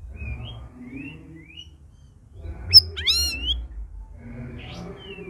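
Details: Caged red-whiskered bulbul, kept with a hung group of birds in its first week of care: thin rising whistled notes, then a sudden cluster of sharp, rising, ringing chirps mid-clip, more soft whistles after, over a low steady hum.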